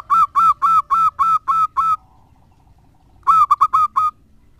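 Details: Local zebra dove used as a lure bird, singing actively: a run of seven clear, fluted coos around two a second, a pause, then a quicker burst of short notes ending in a longer coo.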